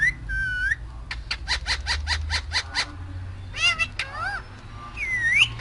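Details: Parrot in a cage talking: a short whistled phrase, a quick series of clipped syllable bursts, wavering speech-like notes, then a rising whistle at the end, over faint low hum.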